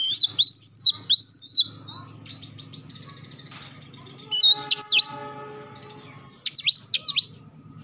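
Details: Morning song of an oriental magpie-robin: two long, loud, arched whistles open the phrase, then a pause over low hum, followed by quick clusters of high, steeply falling whistled notes.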